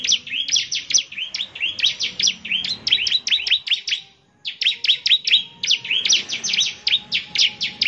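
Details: Persistent bar-winged prinia song meant to draw replies from other prinias: dense, rapid trains of high, sharp, sweeping notes, with one short break midway.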